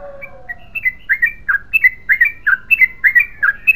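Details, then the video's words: Yellow-vented bulbul in 'ropel panjang' long continuous song style: a soft whistled note, then a steady chain of liquid, slurred two-part phrases that dip and rise, about one a second, growing louder. "BURUNG TRUCUKAN GACOR ROPEL PANJANG"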